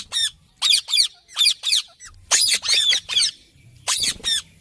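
A green parrot gives harsh, high, raspy squawks in quick bursts, often in pairs, about ten in under five seconds, with a faint low hum behind.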